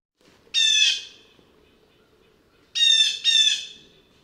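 A Blue Jay gives three harsh, nasal jeer calls, one alone and then a quick pair, each about half a second long, against a quiet background.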